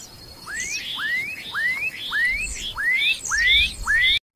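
Black-capped donacobius: a run of about eight loud, rising whistled notes, roughly two per second, each ending in a higher scratchy overtone.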